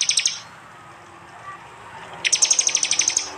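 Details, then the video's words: High prinia trill from East Java, phone-recorded: a short buzzy burst, nearly two seconds of quiet, then a fast even trill of about twelve bright notes. "Tembakan prenjak jali keras"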